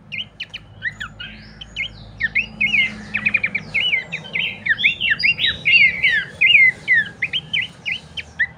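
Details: Training and lure recording of Abbott's babbler: a busy chatter of whistled notes, rapid ticking trills and sliding phrases that grow louder and denser toward the end.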